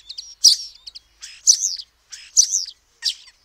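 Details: Common starling producing dry clicking notes and loud buzzy, grating bursts, roughly four bursts in three and a half seconds, separated by short pauses.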